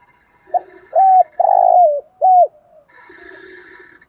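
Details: Spotted dove kept as a lure to provoke wild doves, delivering a 'thúc gù' coo phrase: a short soft lead note, then three loud hollow coos, the middle one long and sliding down, followed by quiet background hum.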